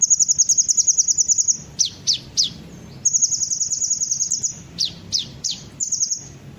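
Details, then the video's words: Kolibri ninja sunbird used as a lure to draw other birds into singing: very high, rapid ticking trills in long runs, broken by sharp downslurred whistled notes, then another long trill and more quick downslurs. "pancingan suara burung kolibri ninja pasti langsung ikut bunyi"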